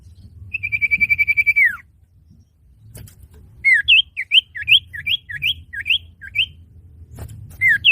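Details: Trapping lure of a male common iora: a steady high trill ending in a falling slur, a pause, then a run of repeated rising-and-falling whistled notes about two per second, closing with another slurred whistle.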